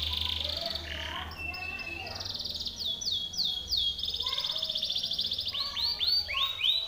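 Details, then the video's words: Timbrado canary singing, used as a training song for other canaries: a high buzzy phrase, then a run of bright descending sweeps and trills, with a low hum underneath at the start. "TIMBRADO canary singing - Timbrado canary's most powerful song for training / canary training song"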